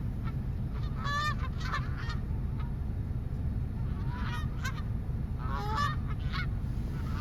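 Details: A group of geese gives repeated harsh honks in two main bursts, each made of several overlapping calls, with quieter single honks between them and a continuous low droning noise behind.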